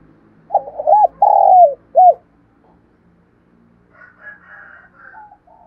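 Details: Spotted dove cooing in 'thúc gù' style: one phrase of short arched coos and a long falling coo, followed by faint chirping from another bird and low background hum.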